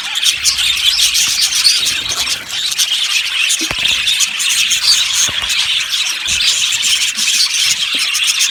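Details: Yellow budgerigars in an aviary colony chattering together: a dense, continuous wash of high, scratchy chirps and warbles with no pauses, many birds overlapping, a few sharper ticks standing out.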